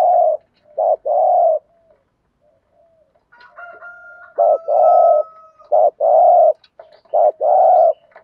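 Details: Spotted dove used as a decoy to lure wild birds, cooing in the 'thúc gù' pattern: repeated short-long hoarse coo pairs, with a faint thin steady whistle-like tone heard in the middle.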